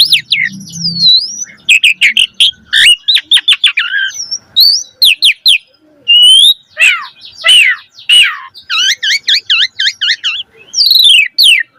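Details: Javan pied starling singing vigorously with a pumping display, a lively chattering song: a dense, nearly unbroken run of sharp chips, sweeping whistles and rasping notes in quick bursts, with a low hum at the start.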